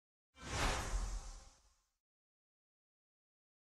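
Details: A single short whooshing burst of broad rushing noise fades out within about two seconds, followed by silence, with no animal voice present.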